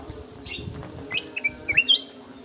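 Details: Golden-fronted leafbird kept in an aviary giving a short, clear phrase of four or five sharp whistled notes that rise and fall quickly, against a low rumbling hum.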